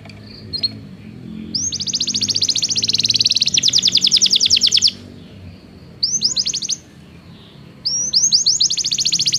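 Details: Singing Belgian canary, recorded as training for canaries that do not sing: long rapid trills of dense repeated notes in bursts separated by pauses, over a steady low background hum.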